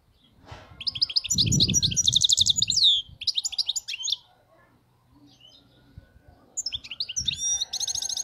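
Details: European goldfinch song, described as a flawless wild goldfinch: bursts of rapid tinkling, buzzy high notes in phrases about two seconds long, a pause, then another quick twittering phrase, with low rumbling background noise.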